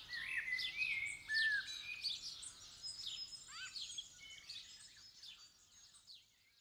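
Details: Blackbird in full dawn chorus on 8 December 2019 at first light, recorded in stereo. Loud fluty whistled phrases open the recording, then fade under a busy chatter of other birds' high tweets and trills.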